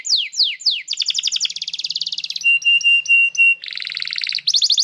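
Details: Canary song used as a master recording to train young canaries and to restart silent ones: rapid descending whistled sweeps, then fast buzzy trills, a run of short steady whistled notes, and bright rattling tours.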